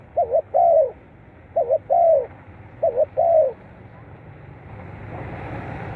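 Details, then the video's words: Spotted dove cooing, meant to stimulate captive birds. Three evenly spaced phrases, each a quick two-note lead-in and a sustained falling coo. Then a rising hiss of passing traffic or wind. "เสียงนกเขาใหญ่ เปิดกระตุ้นนกชำ ขึ้นไว"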